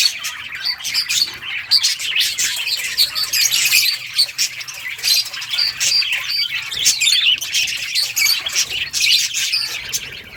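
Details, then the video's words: A budgie colony fills the air with rapid high chirps, warbles and squawks, many birds calling at once without pause. "budgies beautiful colors playing and chirping sounds for lonely birds"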